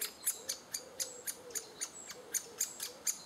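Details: Great spotted woodpecker adults feeding chicks in June 2011 give sharp, high, clicking calls about four times a second, fairly evenly spaced, with faint soft notes beneath.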